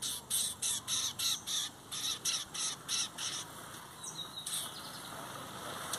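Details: Song of a lined seedeater at a 2023 song competition between metálico and torneiro styles: a steady series of rasping, buzzy high bursts, about three per second, then quieter scattered notes and one high whistle.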